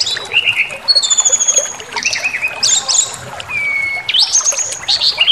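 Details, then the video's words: Provoking white-rumped shama song: long level whistles, chattering buzzy notes and a sustained pure tone followed by quick rising phrases. "Pancingan Emosi SRDC Awas Ikut Ngamuk Bongkar Materi"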